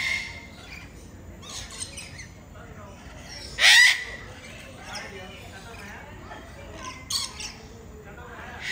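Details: Parrot at KL Bird Park: one loud, raspy squawk bursts out midway, with a shorter harsh note later and quieter chirps and squawks around it against a low murmur of background noise.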